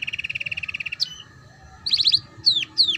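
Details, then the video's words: Canary tutor song for youngsters in the ngeriwik style: a steady rattling trill lasting one second, a pause, a buzzy trill burst, then two separate looping downward whistles. "Suara PANCINGAN KENARI PAUD Belajar BUNYI Ngeriwik || MASTERAN Kenari Paud"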